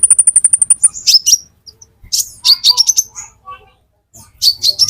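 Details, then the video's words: Olive-backed sunbird song used as a lure: rapid high buzzy trill repeated many times, then sharp squeaky notes and quick descending chirps in bursts separated by short pauses. "Burung Konin Metalik Pancingan Konin Ijoan"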